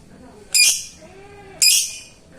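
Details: Lovebird calling a rival: two loud, harsh, high shrieks about a second apart over a low background hum.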